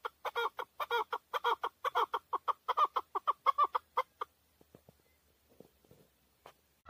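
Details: Loud, close chukar partridge, a male hunting bird in Tajikistan, 2020: rapid rhythmic chuck-chuck calls for about four seconds, then near silence with faint soft sounds.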